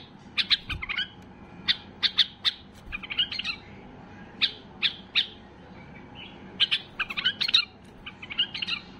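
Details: White-eared bulbul in a state of peak excitement, song meant to push other bulbuls into singing: bursts of loud, sharp chirps and short warbled phrases, sometimes paired, in irregular groups separated by brief pauses; faint low hum beneath.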